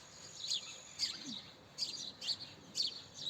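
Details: Quick house sparrow chirps, six short, high and slightly buzzy notes in just over three seconds, spaced unevenly.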